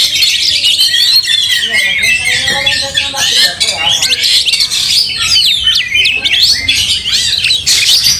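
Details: Fighting white-rumped shama, agitated, with tail spread: continuous high, tangled song of rapid trills, sharp slurred whistles and harsh chatter, loud throughout with short dips in volume.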